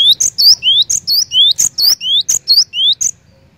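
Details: Lively cinereous tit song, about seven rapid phrases in a row, each a piercing high chip followed by a rising whistled sweep, a steady bouncing rhythm ending abruptly.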